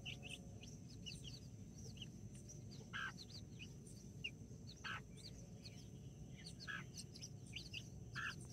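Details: Two mother hens and nine backyard chicks, some of them Brahma, on October 24th 2024: soft hen clucks come roughly every two seconds under busy, high-pitched chick peeping over a steady low hum.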